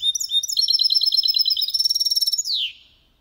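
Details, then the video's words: Goldfinch × canary hybrid in clean song for stimulating males and teaching youngsters: a loud, rapid stream of ringing repeated notes, turning into a dense rattling trill and ending in a falling buzzy slur. "Mixto de Jilguero Cantando Limpio 2022 para Estimular"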